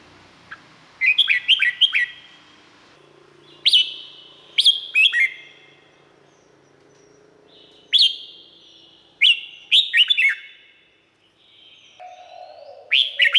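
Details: Red-whiskered bulbul singing in Thailand, played for training birds or to excite them: a series of short, bright whistled phrases with quick rising and falling notes and ringing echoes, separated by brief pauses, plus a faint lower hum near the end.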